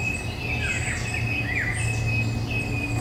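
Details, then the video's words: Eurasian golden oriole song in May woodland, 2021, Nikon Coolpix P1000. Several swooping, fluty notes dip and rise mid-range. A thin, steady high tone runs throughout, with a low constant hum beneath. "Il canto del rigogolo (Oriolus oriolus) nei boschi"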